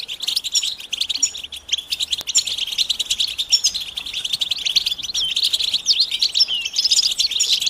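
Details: Mating and readiness calls of the European goldfinch, used to rouse quiet males: unbroken, busy chatter of fast high chirps, trills and thin tinkling notes, fairly even throughout.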